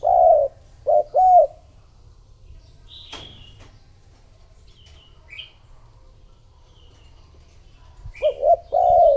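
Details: Decoy spotted dove cooing to lure other doves: a loud series of low, mellow coo notes opens, quiet gap with faint high chirps from other birds, then another cooing series near the end.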